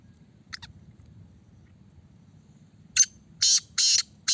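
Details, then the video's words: A caged black francolin being tested for its call gives loud, harsh, grating notes in a quick run of four, after two faint clicks, with a low hum underneath. "Kala Teetar ki Test کالا تیتر کی ٹیسٹ"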